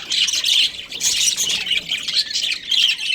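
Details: Budgerigar breeding pair giving harsh, grating squawks in three or four loud bursts separated by brief lulls, set over soft high twittering.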